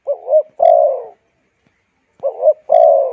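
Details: Spotted dove calling, a recording used to stimulate wild birds and train decoy birds: a two-note wavering coo followed by a longer, drawn-out coo, given twice about two seconds apart.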